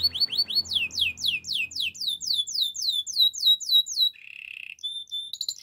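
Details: Canary song for training opens with a long series of loud downswept notes, each repeated several times a second. It shifts to a brief low buzzing roll and finishes with thin high whistles.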